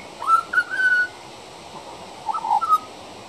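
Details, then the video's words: Juvenile pied butcherbird singing outside a backdoor: two short phrases of rich, flute-like, sliding mid-pitched whistled notes, separated by about a one-second pause against a quiet background. "Pied Butcherbird Singing"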